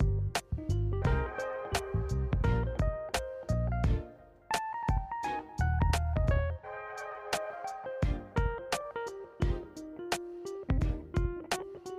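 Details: Only instrumental music is heard: plucked guitar-like notes and keyboard tones over a steady beat, with no animal voice.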